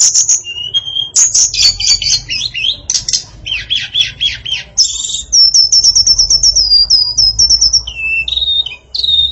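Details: Female tledekan, the hill blue flycatcher, sings a varied song with complete isian: sharp high notes, low whistles, a stuttering mid-pitched series, then a rapid high trill and falling whistled notes.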